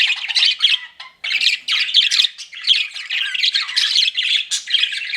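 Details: A group of pet budgerigars flirting, with fast, continuous warbling chatter of scratchy chirps and squawks that breaks off briefly only once, near the start.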